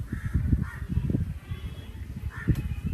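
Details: Crow giving three hoarse caws, two close together near the start and one later, over loud low rumbling wind-like noise.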